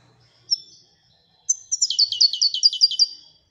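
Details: Goldfinch from Morocco, singing the Wedania style: one thin chirp, a pause, then a fast trill of about ten repeated bright notes lasting around one and a half seconds.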